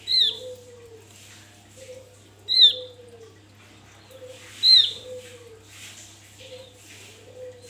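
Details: Javan white-eye calling in the wild, the recording used as a lure to stir up other birds: three bright, high, slurred notes about two and a half seconds apart, alternating with low, quiet, drawn whistles under a faint hum.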